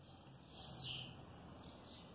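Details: A male blue-black grassquit sings in an aviary with his mate, a female. He gives one short, high, buzzy phrase lasting about half a second, followed by quiet background hiss.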